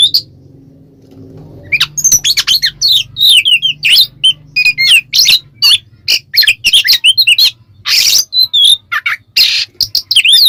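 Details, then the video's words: Oriental magpie-robin delivering ngeplong song as a provoking lure: after a low hum, a long rapid series of sharp chips, twisting whistles and loud harsh bursts, notes spaced only fractions of a second apart. "suara burung Kacer NGEPLONG pancingan Kacer agar ikutan emosi"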